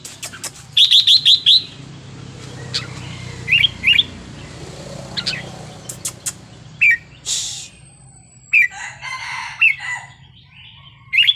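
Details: Wild-style song (phleng pa) of a Red-whiskered bulbul, used to stir up other birds: an opening burst of five fast rising notes, then spaced whistled phrases with a hissing sound midway, over a steady low rumble.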